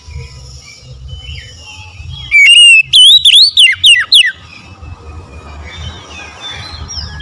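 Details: Oriental magpie-robin in konslet-style song: a loud two-second burst of rapid, sliding whistles, rising then swooping up and down in quick successive notes, over quiet low rumbling background noise.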